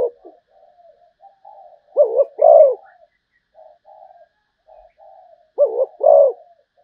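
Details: Zebra dove singing: a soft, trailing murmur of quiet cooing runs under two clear phrases, each a short trilled note and then a fuller rolling coo.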